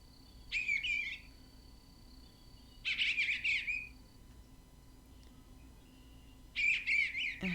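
Eastern Bluebird singing three short, raspy, warbled phrases that waver up and down, about three seconds apart, over a faint steady hum.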